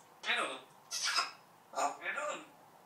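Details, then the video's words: Pet parrot reciting learned words indoors: four quick voice-like syllables in two pairs, breathy and rich in high overtones. "Marş Söyleyen, Konuşan Papağan"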